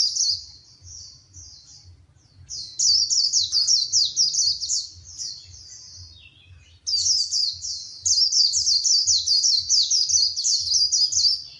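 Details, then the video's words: High-pitched, fast chattering warble of a female white-eye, sung to rouse a male into song: quiet at first, then two loud, dense runs of twittering notes, with soft low pulsing thumps throughout. "Tiếng chim khuyên mái kích trống hót, kích lửa !!!"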